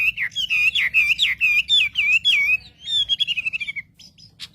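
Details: Lure recording of a wambi to provoke rival birds: a quick run of loud, looping whistles, each bending down then up, followed by fast rattling chips and a few sharp notes.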